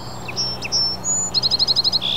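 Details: A Song Sparrow sings in the background of a park ravine walk: a few clear, high introductory notes, then a quick run of repeated chips into a buzzy trill, over a faint low hum.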